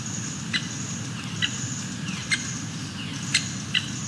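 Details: Stripe-breasted Woodpecker in forest at Phawngpui National Park, Far Pak, Mizoram, India, giving sharp, single high 'pik' notes about once a second, over a steady insect hiss and low forest rumble.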